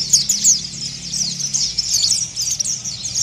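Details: Rough, fast chirping from an Oriental white-eye, played to stimulate other birds: a continuous stream of high, thin twittering notes that rise and fall quickly, with faint low background noise.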